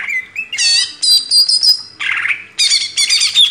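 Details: Greater green leafbird song used as a master recording for training caged birds, mixing clear whistled notes, rapid chattering trills and a lower harsh burst, delivered in short separated phrases.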